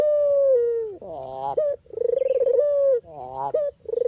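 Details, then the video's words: Puter or deruk dove calling, used as a trapping lure: a sustained mellow note that slides downward, then a throaty rolling burst, then a trilled purr and another drawn-out coo. "suara asli burung puter/deruk buat isian,pikat dan pancingan"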